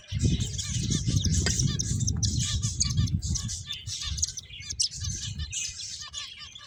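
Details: Finches chirping and twittering in a busy high chorus while they play, over a strong, steady low rumble.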